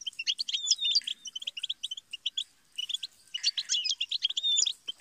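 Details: Goldfinch singing in a tutoring recording for songbirds: rapid chattering twitters mixed with thin slurred whistles, a short lull, then a denser burst of tinkling notes.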